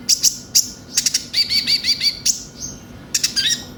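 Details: Konin, known in English as Van Hasselt's sunbird, singing in a lure recording for captive birds: sharp high chips, then a brisk series of five or six bouncing whistled notes, then more chips.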